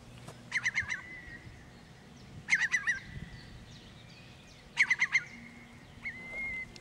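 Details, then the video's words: Eurasian curlew communication call: three quick bursts of four clear, rippling whistled notes, each trailing into a long level whistle, about every two seconds over a faint low rumble. "Eurasian Curlew communication call (Wulp)"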